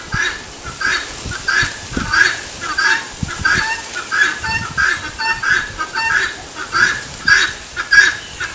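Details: Helmeted guineafowl giving its 'tô fraco' call, a harsh, rasping two-part cry repeated rapidly and steadily, roughly once every half second, throughout, with faint low rumbling background noise.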